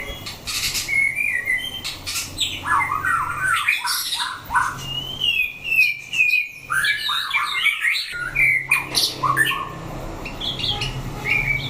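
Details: Captive white-rumped shama singing during a fighting test: a dense, fast medley of chattering, squeaky and whistled notes, rising and falling, punctuated by loud clicks and a steady low hum.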